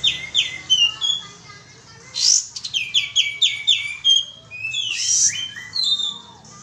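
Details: Sooty-headed bulbul used as a lure: fast strings of descending chirps, a harsh rushing burst, more chirp series, and a second broad burst near the end, with low background murmur.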